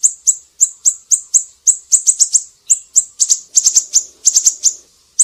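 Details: Bright, very high siri-siri chips for training songbirds such as cucak ijo come in a brisk running series, with paired notes early and quick triplet bursts later on.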